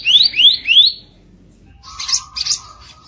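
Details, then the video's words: Kicap ranting bird singing rough masteran phrases: three quick rising whistled slurs, then a pause and two raspy high bursts over a steady low tone. "MASTERAN KICAU KASAR KICAP RANTING"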